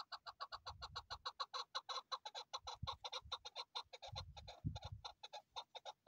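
Chukar Partridge giving a fast, unbroken run of harsh, clucking chuck notes, about eight a second, with a few low thumps beneath.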